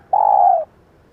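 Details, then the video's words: Female spotted dove giving a single clear, mellow coo lasting about half a second, steady in pitch and dropping slightly at the end, used to stir and train decoy birds. "tập mồi nhanh nổi Hiệu Quả bằng tiếng chim cu gáy mái / Tiếng cu gáy mái"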